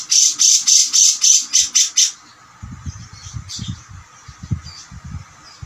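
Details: Grey-cheeked bulbul, locally cucak jenggot, in fierce training-master song: about eight rapid, loud, high squawking notes over two seconds, followed by quiet low background rustling.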